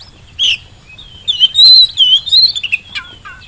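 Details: Oriental magpie-robin song played as a lure for birds slow to sing: a short sharp note, then a run of rich whistled warbling with slurred up-and-down phrases, ending in lower falling notes.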